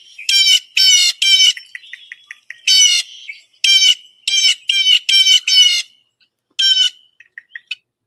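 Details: Blue Jay giving about ten loud, harsh, nasal 'jay' calls, its name-saying call, mostly in quick bunches of three or more with soft clicks between; jays turn vocal around predators such as hawks, crows or cats.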